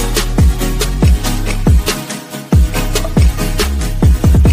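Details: Loud electronic dance music with a pounding bass beat and sharp percussive hits; no animal sound can be heard.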